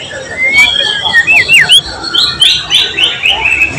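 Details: White-rumped shama (murai batu) in full song, a tutor recording made 12 July 2023 and filled with imitated material from cililin, cucak jenggot, canary and lovebird: sharp rising and falling whistled slurs, quick zigzag notes and short bright bursts.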